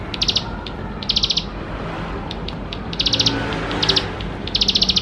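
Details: Energetic bar-winged prinia song meant as a lure to get young prinias singing quickly: six fast, high, dry trilled bursts in five seconds, irregularly spaced, with faint clicks between phrases and steady low hiss behind.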